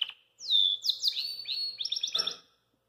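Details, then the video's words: Belgian canary singing after eating kale, hopping outside its cage: a clear high whistled phrase of slurred descending notes, a sustained tone, then quick pulsed notes and a brief harsh rattle at the end. "CANARIO BELGA Comeu COUVE E CANTOU Para Todos"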